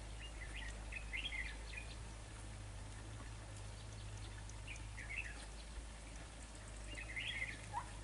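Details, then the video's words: Red-whiskered bulbul calls during trapping with a decoy bird: short, bright chattering phrases in three bursts, with a steady low hum underneath. "Bẫy chào mào"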